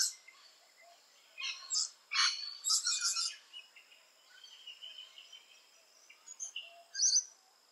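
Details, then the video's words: Rainbow lorikeet activity at nest holes, with a few sharp, shrill screeches grouped between about one and three seconds, a thin drawn-out squeal, then one more harsh note near the end. "Rainbow Lorikeet Footage 3"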